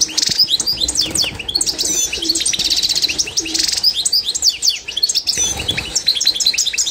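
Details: European goldfinch of the authentic Constantine type, Algerian song used for teaching birds: fast liquid twitters and tinkling chirps, interrupted by several dense rattling trills, continuous and lively throughout.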